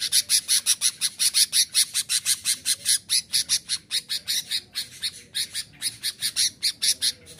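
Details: Sooty-headed bulbul in full voice, used to challenge rivals and provoke wild bulbuls into attacking a decoy: harsh, buzzy broadband notes repeated rapidly, about two and a half per second, steady throughout with faint background hiss.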